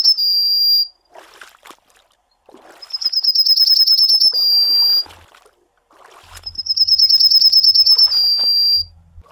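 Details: Two full songs from a Yellowhammer, Emberiza citrinella, after a trailing end note: a rapid string of high repeated notes each time, finished by a prolonged even note, with brief quiet gaps between.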